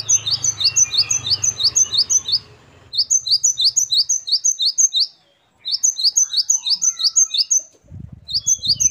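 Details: Great tit (gelatik batu) singing varied, lively phrases: runs of crisp high paired chirps repeated rapidly, broken by short silences, with low rustling noise at the start and near the end.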